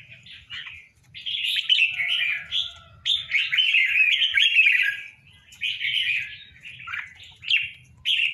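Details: Red-whiskered bulbuls, a tame pair kept in a cage, deliver lively chattering warbles, starting softly, then a sustained run of jumbled chirps, followed by shorter phrases toward the end over low background noise.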